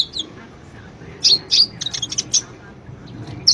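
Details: Sunbird (konin) master song for cage-bird training: a few loud high chirps and short downslurred whistles in a scattered burst over soft background noise.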